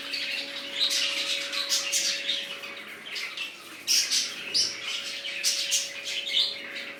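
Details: Budgerigars in a newly set up colony, a crowd of birds chattering at once with dense, scratchy high chirps and warbles in overlapping bursts, over a faint steady electrical hum.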